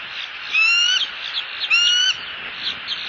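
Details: Bald eagle pair in Southwest Florida calling to each other out of view of the nest camera on 1 October 2015; two drawn-out, slightly rising clear whistles about a second apart over a steady hiss of insects.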